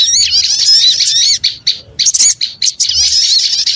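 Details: Lure sound of small birds: loud, high twittering with quick wavering notes, dipping into a few short choppy bursts in the middle before the busy chorus swells again.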